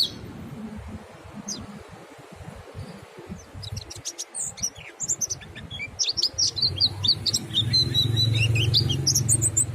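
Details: Mountain white-eye giving ngalas song that stirs other white-eyes to join in; sparse high chirps early, then a denser, busier run of thin twittering notes with a low rumbling hum beneath.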